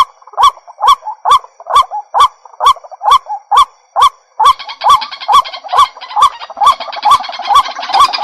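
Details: White-breasted waterhen lure call used to attract birds: loud, strongly repeated harsh notes, about two per second, at a steady rhythm, with a faint chattering background building in the second half.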